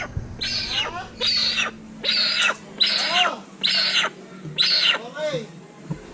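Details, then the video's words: Little hornbill: loud, raspy, cackling notes rich in harmonics, six bursts at just over one a second, each ending in a short downward slur. "Little Hornbill with natural sound"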